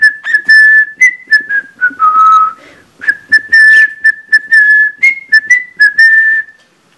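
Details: Budgerigar at home echoing a cockatiel's Mickey Mouse March, not quite in tune: a stepwise whistled melody of held and short notes, pitch sliding down then climbing back.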